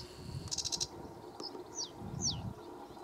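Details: Sedge warbler at RSPB Lakenheath in 2017 gives a quick buzzy rattle of about five pulses, then two sharp, high, downslurred notes, over a low rumble of wind.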